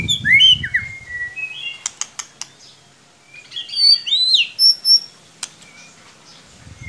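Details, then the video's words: White-rumped shama song played as a lure for a bird that only chirps: quick slurred whistles, a few sharp dry clicks, then rich high warbled phrases and clear piping notes. "Solusi murai ngiriwik kurang gacor cukup dengarkan suara pancingan ini pasti nyangut"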